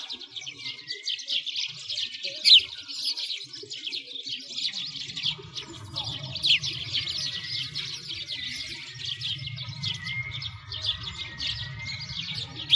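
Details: Winter sparrows by a frozen lake in Bratislavsky Park, Moscow, Russia; a dense continuous chorus of high, quick chirps and tweets from several birds, with low rumbling background noise in the second half.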